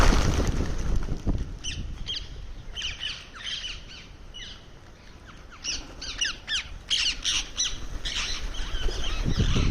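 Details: Indian ringneck parrot calling while eating: harsh, scratchy squawks in quick irregular bursts, loudest near the start and over the last three seconds, with a quieter gap in the middle.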